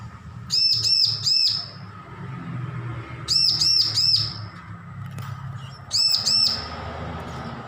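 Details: A hand-reared young bar-winged prinia, just weaned, learning song; three clusters of three or four rapid high arched chirps, each roughly every two and a half seconds, with a low background hum.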